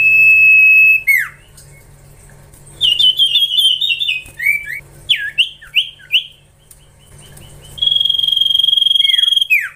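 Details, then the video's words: Young Common Iora (cipoh) in training: a long steady whistle ending in a downward swoop, then varied quick slurred and trilled whistles, and a final long high whistle dropping sharply at the end. "Gacorrr ngelatih cipow cipoh anakan"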